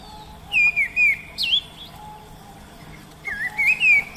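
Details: Oriental magpie-robin singing in the wild: clear, slurred whistled phrases, some falling and some rising, in two bursts separated by a pause of about a second and a half, over a faint steady background tone.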